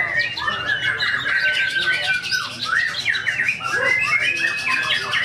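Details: Contest white-rumped shama in the 16G main-ticket class, tame in character, spilling isian phrases: fast, varied whistled notes, rising and falling slurs and rattles, with crowd murmur and other birds behind.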